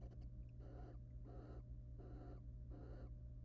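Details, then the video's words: Wild barn owl pair at a monitored nest box, courting as the male preens and then mates with the female; rough, hissing bursts of about a third of a second repeat roughly every 0.7 seconds over a steady low electrical hum. "Barn Owl pair courting: Male barn owl preens and then mates with the female."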